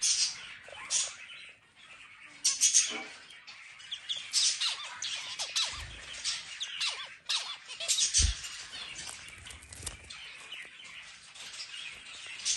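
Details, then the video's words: Zebra finch singing and eating: scattered nasal, buzzy calls and rapid chirping phrases, some descending squeaks, with occasional dull knocks and rustling. "Zebra Finch singing and eating"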